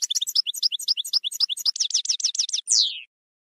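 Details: Campero-style European goldfinch song: a fast, steady run of high chirped notes, roughly four per second, speeding into tighter twitters and ending with one long, buzzy, downward-sliding note.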